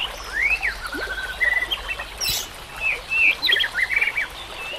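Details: White-rumped shama song used as a training recording, set with nature sounds and trickling water: clear whistled notes, some rising and some falling, in short scattered phrases over a noisy background, with one broad burst midway.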